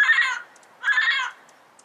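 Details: Wild yellow-headed parrot giving two harsh, raspy squawks, each about half a second long with a rich harmonic, grating tone, separated by a short quiet pause.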